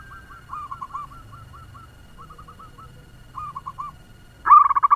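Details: Local zebra dove used as a lure bird to stir up other doves, singing a fast song: quick series of short cooing notes in bursts, followed by a sudden loud, rapid, rhythmic phrase near the end; low background rumble.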